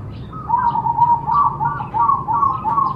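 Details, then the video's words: Zebra dove song used to stimulate other doves to sing: a run of quick, evenly pitched staccato coos, roughly three notes a second, over a low background hum. "Cocok untuk terapi semua jenis perkutut pasti nyamber"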